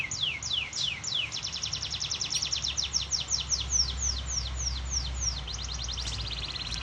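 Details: Canary kept for breeding in a simple home setup, giving a long run of rapid high descending whistled sweeps, about four per second, speeding up toward the end, over a steady low background rumble.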